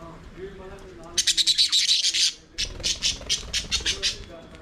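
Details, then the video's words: Budgerigars singing and playing in an aviary, with fast rattling series of sharp chirps, about three per second, in two bursts separated by a short pause, over a quiet warbling background. "Budgies singing and playing in their Aviary"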